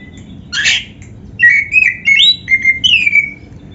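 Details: Gacor song of a black-breasted oriental magpie-robin (kacer), full of fill phrases and meant for training caged birds. A harsh burst is followed by clear whistled phrases that slide up and down, repeated in quick succession.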